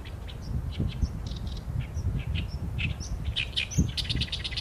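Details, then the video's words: Oriental reed warbler song, taken with a Sony A7M3: scratchy, harsh notes repeated steadily, building into a busy chattering phrase near the end, over a persistent low rumble. "개개비 - Acrocephalus orientalis - 大苇莺 - bird song"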